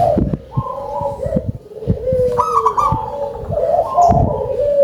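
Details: Zebra dove of a local strain, singing keenly with a strong voice, delivering bubbly pulsed coos that step up in pitch, with low thumps and rustles behind.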